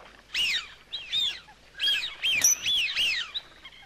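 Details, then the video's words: Coot calls as a series of loud, clear, arched notes rising then falling, repeated roughly every half second in short groups, with little background noise. "Coot best voice call"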